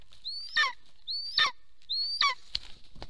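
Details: Golden eagle at its Soomaa National Park nest in Estonia, 1 April 2024, morning, as the male returns home. Three high, rising whistled yelps that break into harsher falling notes, followed by a couple of sharp clicks or knocks.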